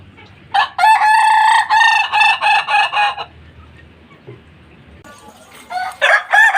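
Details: Kukuak Balenggek rooster, a Minangkabau crowing breed, practising its crow: a loud opening note followed by a fast series of short pulsed syllables, then a pause of about two seconds before another crow begins.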